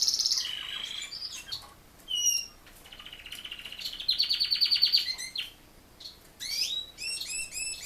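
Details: A male Razza Espagnola canary sings a quick, varied run of high whistles, rolling trills and sweeping chirps, with brief pauses between phrases.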